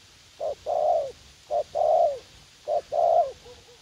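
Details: Spotted dove set as a decoy in a U Minh garden, Vietnam, calling a young wild bird that is keen to fight; a short note followed by a long, slightly falling throaty coo, three times at a steady pace.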